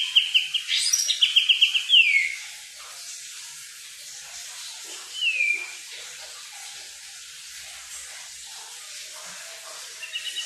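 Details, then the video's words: Wild kukluk bird giving a short burst of rapid high trilled notes ending in a falling whistle, then near silence and one soft downslurred whistle, with a faint trill at the very end. "burung kukluk"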